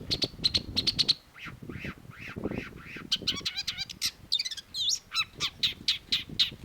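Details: Vigorous, varied song of a Long-tailed shrike: quick high ticking, then repeated arched chattering notes, buzzy rattles and sliding whistles, rushed and jumbled, with low rustling beneath.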